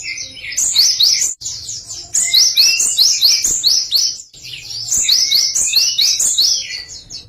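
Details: Java sparrow singing a song variation: fast runs of high, sharp chirping notes in three long bursts with brief pauses between, plus a few lower rising whistles.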